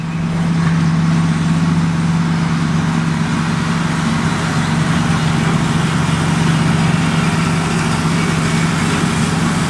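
Loud, steady engine rumble from an idling vehicle fills the recording with no animal voice.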